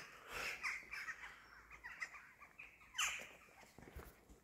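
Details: Jackdaws arriving in the morning to greet a person; short, sharp chacking notes come in quick irregular bursts, softly recorded, mixed with a man saying good morning and hello.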